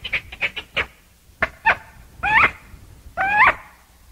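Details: Chachalaca (aracuã) starts with short clipped notes, then gives longer harsh calls with wavering, rising-falling harmonics, the last two drawn out and loud.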